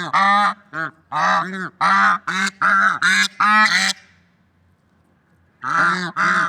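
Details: Swans calling in nature: a quick run of about eight clipped, reedy honks, a silent gap of nearly two seconds, then two more honks.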